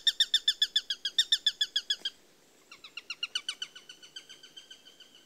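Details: Eurasian sparrowhawk calling with a fast, regular string of shrill kek notes that stop briefly, then resume softer and then louder, at roughly four notes a second in a dry chattering rhythm.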